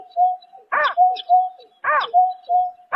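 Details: Night calling of a greater painted-snipe, March 2024: dense run of rich, arched hooting notes linked by level low whistles, closely spaced with little pause between them.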